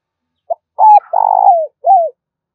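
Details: Loud, clear lure call of a spotted dove, used to stir wild doves. One phrase: a brief opening note, an arched coo, a long vibrating coo sliding down, then a closing arched coo, with near-silent background.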